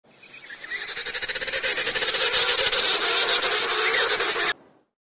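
A penguin gives a harsh, braying call of rapid pulses, about four a second, held loud for four seconds and then cut off sharply.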